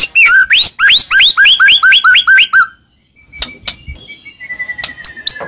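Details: Lure song meant to excite a silent white-rumped shama: rapid series of loud upswept whistled notes, about a dozen in quick succession, then quieter clicks and a long thin fading whistle.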